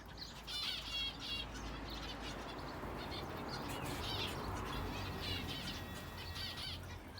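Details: Finches in an aviary shared with a canary, giving rapid overlapping bright chirps and short twittering bursts in quick succession, several birds calling at once over a steady low hum.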